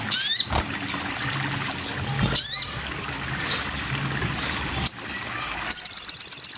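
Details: Master recording of a sogon bird: sharp high buzzy sweeps every couple of seconds with soft faint chirps between, ending in a fast pulsed high trill.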